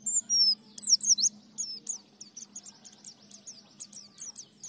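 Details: White-eye singing in the ngalas, nembak and ngriwik styles: sharp, very high whistled notes and slurred chirps, loud at first, then quicker softer ticking phrases in a rapid series over a faint low hum.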